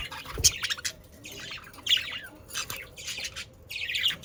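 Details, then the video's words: Budgerigars, Australian parakeets, from the Den Haag region of South Holland, Netherlands: dense, scratchy warbling chatter with squawks and quick high chirps, coming in bursts about every second with short gaps between them. "Sounds of Australian parakeets to stimulate your parakeets to sing"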